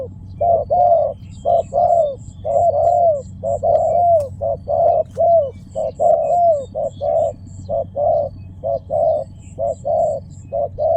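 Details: Spotted dove calling in long runs of low, rounded coos, some slurring downward, roughly one a second, over a steady low hum with faint high ticking.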